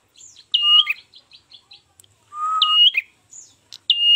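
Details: Ashy tailorbird song, used as a lure for trapping birds: loud, clear whistled phrases that hold a steady high pitch and then drop, a lower drawn-out whistle between them, and soft ticking notes in the gaps.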